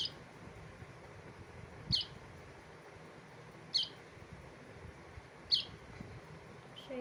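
A young bulbul gives short, high, squeaky chirps, one roughly every two seconds, over a low murmur of background noise.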